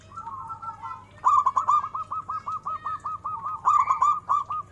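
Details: Local zebra dove singing actively with a big voice and melodic turns: a soft trilled opening phrase, then about a dozen loud, rapid, clipped cooing notes in a steady run, over a low constant hum.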